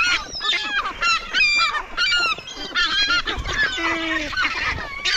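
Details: Hungry gulls competing for food: repeated loud, harmonic yelping calls, many dropping in pitch, overlapping from several birds, with a lower drawn-out note near four seconds.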